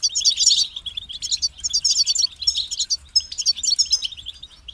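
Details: High, tinkling European goldfinch song from a kept bird: four clusters of rapid chirps and twittered trills, each separated by a slight pause.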